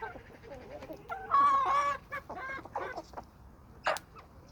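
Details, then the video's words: Chickens and roosters of a suburban homestead flock: a loud, harsh, drawn-out cackling call with strong harmonics, followed by shorter raspy notes and a final sharp squawk. "Homestead Chickens & Roosters"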